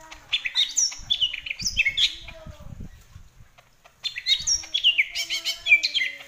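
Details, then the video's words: Greater green leafbird singing two bursts of rich, rapidly varied whistles and chattering notes, separated by a pause of about a second, with a faint steady low hum behind. "Cucak ijo paling gacor...."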